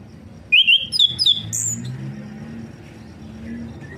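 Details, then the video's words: Orange-headed thrush, a bird that has stopped singing being stimulated, giving a short burst of sharp, whistled, slurred notes over about one second, then falling quiet against a soft low hum. "Rangsangan burung anis kembang macet"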